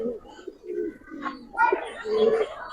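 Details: Several low, throaty coos from Giribaz pigeons in a collection, rising in volume toward the end. Higher twittering calls and indoor ambience sound behind them.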